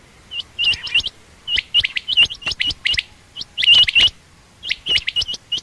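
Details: Calls of a female quail: dense runs of bright, clipped chirps, many with a short upward flick, tumbling in quick irregular bursts separated by short gaps.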